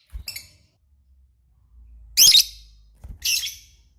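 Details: Lovebird calling actively, described as gacor: a short faint chirp followed by two loud, harsh, shrill screeches about a second apart, with quiet low background hum between.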